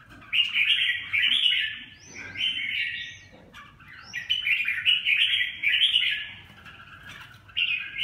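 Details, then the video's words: Red-whiskered bulbul song in bursts of rich, fast warbled and chirping phrases broken by short pauses, with a few clear upslurred whistles between them; faint low hum underneath. "chim Chào mào"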